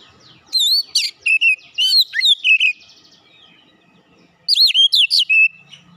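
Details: Oriental magpie-robin song played as a lure: two loud bursts of rich, varied whistles with steep looping sweeps and high squeaky notes, separated by about a second and a half of quiet.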